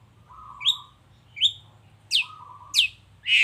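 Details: Long-tailed shrike lure recording meant to provoke reply calls: sharp downswept notes alternate with a flat, steady whistle held low, about five sounds in three and a half seconds.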